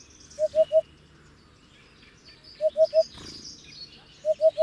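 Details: Three-note hollow hooting of a Hoopoe, low-pitched and repeated roughly every two seconds, with chirping and twittering of other birds around.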